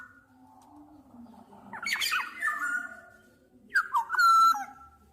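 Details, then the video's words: Black-naped Oriole (Oriolus chinensis) singing: harsh, nasal squawks followed by a clear, fluty whistled note that slides down, in two bursts over a few seconds. "Tiếng chim Vàng anh Gáy đen/ VA Trung Quốc ✅Black-naped Oriole(Oriolus chinensis) ✅นกขมิ้นท้ายทอยดำ"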